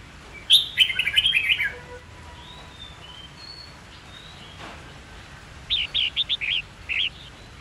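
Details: Red-whiskered bulbul fighting song for training young birds: a chattering run of warbled notes, faint thin whistles, then a series of five bright rising-falling whistles.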